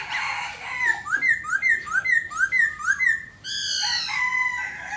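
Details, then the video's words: Singing Black laughingthrush performing its dance: a series of six sharply upslurred whistles roughly every third of a second, followed by a rich sustained harmonic whistle. "Khướu mun hót múa đỉnh"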